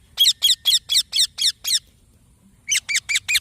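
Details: Green baby parrot chirping: a run of seven harsh, raspy, high chirps about four per second, a pause, then four more quick chirps; quiet background.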